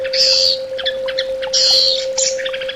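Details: Loud orange-headed thrush song: two drawn-out harsh, buzzy notes about a second apart, each followed by clipped chips and short whistles, over a steady electrical hum.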